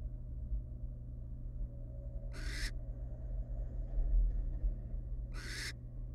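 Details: Wild barn owl family resting together in a monitored nest box; two harsh, broadband hissing bursts about three seconds apart, each roughly a third of a second, over a steady low electrical hum.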